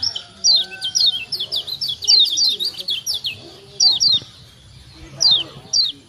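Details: Kecial kuning Lombok white-eye chirps used to make other birds call: a steady string of high downslurred notes about twice a second, then sparser paired chirps, with low murmuring and bumps in the background.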